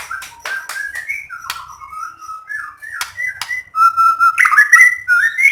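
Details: White-rumped shama singing to stir other shamas into song: clear slurred whistles rising and falling, some sharp clicks, ending in louder bright warbled phrases.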